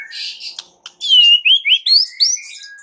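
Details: White-rumped shama song to provoke other shamas to sing: high buzzy notes, then a sequence of bright whistles climbing steadily higher in pitch.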